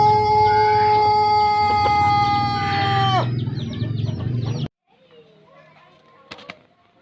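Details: Pelung cock from Plered, Purwakarta, ending a long crow: a steady held tone for three seconds that drops away abruptly, followed by low rumbling, then quiet with a few faint knocks.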